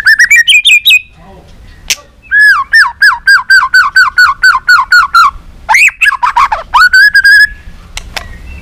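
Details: White-rumped shama singing in a varied style meant to stimulate other shamas: rising whistled notes, then a steady series of about fourteen identical downslurred notes, then loud swooping phrases and a level whistle.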